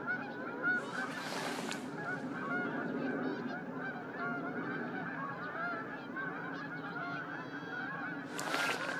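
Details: A flock of whooper swans at Starene, 2023, keeps up a dense chorus of loud, bugling overlapping honks, with a couple of brief rushing noises like wingbeats or splashing.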